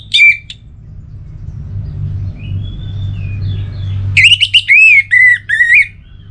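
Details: An orange-headed thrush in a cage gives a brief note, then after a pause launches into a rich jumble of warbling, whistled and rolling phrases, with faint softer birds and low rumble behind.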